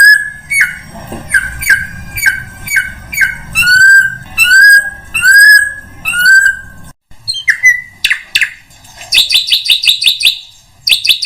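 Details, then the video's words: Drongo lure sound meant to attract every kind of bird: a steady series of rising whistled notes, about one per second, then sharp clicks and a fast burst of high, buzzy chatter. "SUARA PIKAT SRIGUNTING UNTUK SEMUA JENIS BURUNG"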